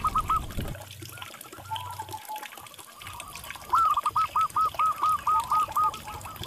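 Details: Local zebra dove sound used as therapy and a lure to prompt stressed birds that have stopped singing to answer. A run of about ten quick rolling cooing notes follows muffled noise and low hum.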